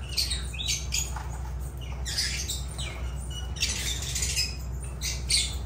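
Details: Harsh, grating squawks and chirps from lovebirds (Agapornis), bunched in irregular groups, with a strong steady low hum under them.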